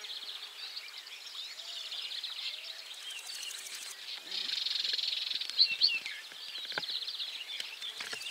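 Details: Barred warbler recorded at 51.900594, 20.298992: a harsh, dry rattling call of about one second stands out midway through a dense chorus of high twittering songbirds, with a few brief clicks and rustles.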